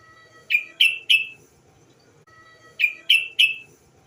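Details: Yellow-vented bulbul female call, played to lure birds into singing: two identical groups of three sharp, slightly descending chips, about two seconds apart, over a low background hum.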